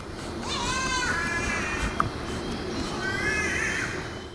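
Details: Green Catbird, unseen in the distance in Mary Cairncross Reserve rainforest, Australia, giving two drawn-out, wavering nasal wails like a crying baby, about two seconds apart, over steady rainforest insect hum.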